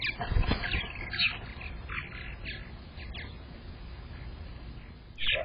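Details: A purple martin at a nest-box camera, around when the first egg was laid on 15 May 2022, gives a run of gurgling, chirpy notes in quick rising and falling bursts, then a sharp final chirp, over low rumbling and thumping.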